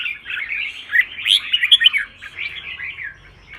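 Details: Red-whiskered bulbul in song-contest training: continuous warbling whistles building to a loud cluster of sharp notes in the middle, then fading into softer chatter.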